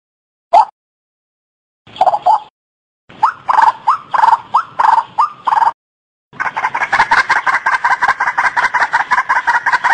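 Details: A white-breasted waterhen (Amaurornis phoenicurus) gives harsh, nasal croaks, first in short bursts, then a fast, rhythmic run of grating notes, almost three per second.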